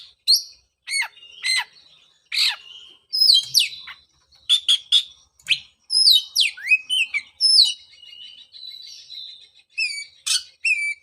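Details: Oriental magpie-robin, whose song is played to get a moulted bird singing again; varied whistled slurs, sharp clicks and rasping notes in phrases separated by short gaps.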